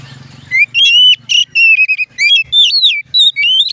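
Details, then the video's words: Oriental magpie-robin in full song: rapid, varied whistles, some rising and some wavering, delivered in quick bursts with short pauses. A faint low background hum is audible before the song begins. "dijamin Kacer lain ikut bunyi"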